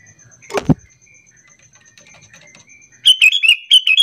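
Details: Sooty-headed bulbul lure call, played to coax other bulbuls into answering, gives a burst of short bubbly, chattering notes in the last second, after a loud handling thump and a faint steady high tick.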